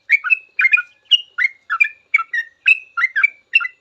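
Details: Trucukan ropel, the sooty-headed bulbul's song used to teach cage birds, with lively paired chirps and short slurred whistles repeated at a quick regular pace, nothing else audible.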